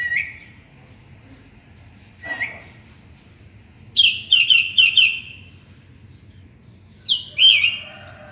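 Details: Sooty-headed bulbul singing in the morning: scattered whistled phrases, then a quick series of five sharp descending notes and a final loud slurred whistle.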